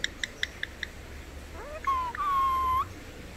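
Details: Pet Indian ringneck parakeet, able to say "mikum" and "peekaboo", producing a loud, steady, nasal voiced phrase of almost one second after a few quick ticking clicks and a short rising note.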